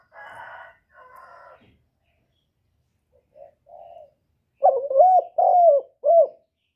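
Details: Male spotted dove cooing to urge a female to lay. After some buzzy, muffled sounds, a clear low phrase follows: short throaty notes, then a longer mellow coo, with another short coo at the end.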